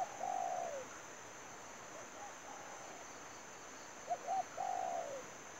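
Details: Spotted dove used as a trapping lure in Vietnam: short cooing notes followed by a longer drawn, falling coo near 700, repeated twice with a fainter distant reply between; steady high insect hiss throughout.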